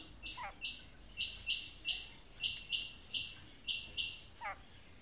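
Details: Calling female quail gives a steady series of short, buzzy, high notes, roughly two or three per second, framed by two quick descending chirps at the start and end.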